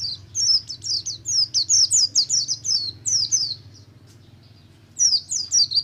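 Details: Buxtomi oriental white-eye in ngalas song, played to prompt other white-eyes to sing: a fast string of bright, high, down-slurred chips, a brief pause, then another burst over a faint low hum.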